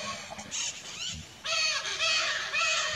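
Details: Free-flying Lear's macaws, also called indigo macaws, in the wild in Brazil: harsh, rasping screeches in loud bursts, overlapping calls from several birds after a quieter opening.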